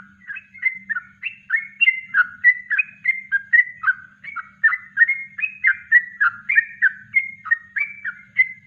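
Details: Natural song of a Yellow-vented bulbul, a master recording for training birds: a long even run of liquid, warbling whistled notes rising and falling, about three and a half per second, with a faint background hum.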